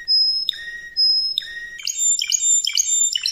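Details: Spanish Timbrado canary song used for training: clear, pure whistled notes, each dropping at its end, followed by quicker ringing, bell-like phrases.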